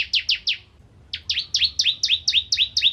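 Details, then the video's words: A few sharp descending notes from a bar-winged prinia, a short pause, then evenly repeated doubled chirps. Used as tutor song for magpie-robins. "Burung Ciblek Kristal Gacor Untuk Masteran Murai Batu"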